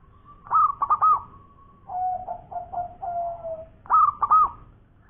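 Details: Local zebra dove sings briskly in the ngowor koar-koar style: a bright cluster of sharp hooked whistles, a lower run of stuttering coos that slide downward, then the whistled cluster again.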